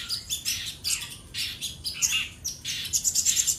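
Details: Common iora (sogon) singing hard to challenge a rival: dense bursts of high scratchy chirps and thin whistles, ending in a rapid even run of sharp piping notes, faint hum in the background.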